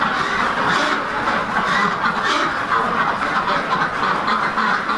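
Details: Flock of Rouen ducks, a domestic breed raised for meat and eggs, giving steady overlapping nasal quacks and chatter that merge into a constant farmyard din.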